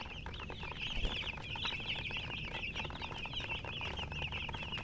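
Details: Many colour chickens cheep together in a constant, high, twittering flock sound; quick overlapping peeps run unbroken throughout, one brief louder knock near the first second.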